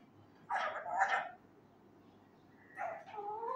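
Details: Pet male Indian ringneck parakeet repeating learned phrases loudly: a two-part rough, speech-like utterance, then a pause and a longer wavering, tonal word-like sound.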